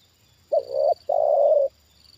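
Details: Spotted dove, a trained lure bird, reacting to a wild bird for the second time with a single clear phrase: a short wavering double coo followed straight away by a longer level coo, a faint high hum underneath.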